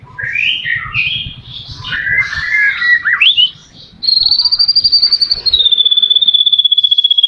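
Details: White-rumped shama song used as a singing stimulus for captive birds: jumbled warbling phrases, then a long high sustained pulsed trill that drops slightly in pitch.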